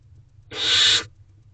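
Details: Wild barn owl owlet in nest box, evening of 2 May 2023 at 8:35 pm, while starting to work on a rodent, giving a single harsh hissing screech lasting about half a second over low background hum.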